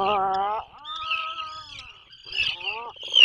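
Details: Atlantic puffin calling in its nesting burrow off the coast of Maine: three harmonic, nasal groans, the middle one long and level, the last shorter and falling, with a faint high hiss.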